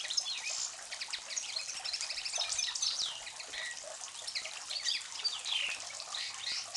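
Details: Common linnet (Carduelis cannabina) in Sarajevo, May 2011, singing a fast, continuous twitter of high, bright chirps and short trills, with goldfinch and other finch notes in the background.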